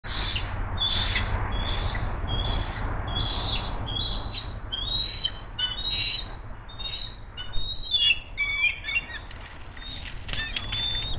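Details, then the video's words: Female bald eagle at Hays, watched by an eagle cam, calling with delight as the male brings her a fish: thin, high whistled chirps and squeaky piping notes scattered throughout over steady low rumbling background noise. "Hays Eagles HM2 brings hungry Mom a fish! She is sooooo delighted!"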